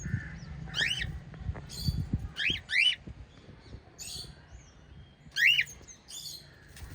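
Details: White lovebirds kept as pets, parrot family; sharp rising and falling chirps with ringing overtones, given in short clusters of two or three at irregular intervals, with a low hum underneath.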